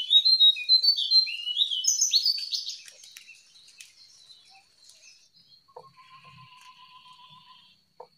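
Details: Jongkangan in the wild giving a quick burst of bright, tumbling chirps and twitters for nearly three seconds. It fades to a faint high trill, and a soft, level whistle from another bird runs behind.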